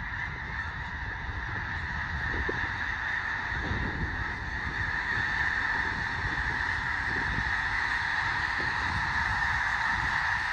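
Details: Large flock of snow geese settling for the night on Fir Island near Mount Vernon, Washington: a dense, continuous roar of overlapping honks and yelps, with no single bird standing out.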